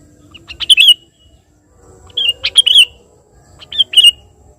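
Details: A sooty-headed bulbul calls a rival with vigorous song: three separate phrases, each a cluster of sharp-edged, bubbling whistled notes. The phrases come roughly every one and a half seconds.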